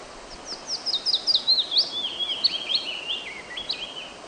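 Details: Singing wood warbler, played to lure birds and prompt them to sing. High, bright notes tumble in quick succession, rising and falling sweeps bunched in an uneven, lively run that drifts slightly lower toward the end.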